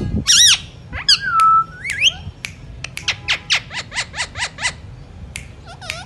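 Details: Rose-ringed parakeet, presented as a talking Indian parrot, gives harsh harmonic squawks and a drawn-out whistled note. A run of about eight quick, evenly spaced screechy calls follows, with a few more squawks at the end.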